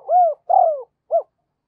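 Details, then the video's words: A spotted dove used as a decoy coos to lure wild birds: three soft, hollow notes, the first two long and arching, the last short and clipped, then silence. "Chim Cu Mồi Thúc Và Gáy Gọi Bổi Nhanh Về Cội"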